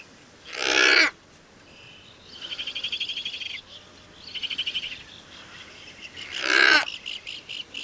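Thick-billed murre giving two harsh, rasping bursts, one at the start and one near the end, with higher buzzy, rattling trills between them.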